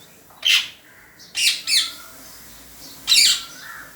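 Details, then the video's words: Parrot making funny noises: three separate harsh squawks, the middle one doubled, spaced by quiet gaps with a faint whistled tone trailing. "Parrot making funny noises"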